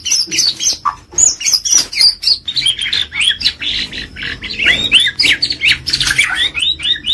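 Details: White-rumped shama, a champion-grade songbird, pouring out a rapid, very high chatter of twittering and scratchy notes several times a second, dense and almost unbroken.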